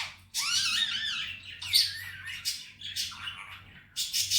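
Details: Pet male Indian ringneck parrot talking, saying "Mithu bete" and "Miya Mithu": high, bending, voice-like squawked syllables in a quick run, then short sharp calls near the end, over a steady low hum.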